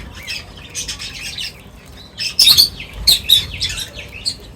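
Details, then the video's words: Several birds chatter at a feeding spot with bright, high chirps and squeaky tweets. These build to a few loud sharp notes midway, then fade into softer twittering. "Birds Feeding Time Sounds | Birds Chirping sounds"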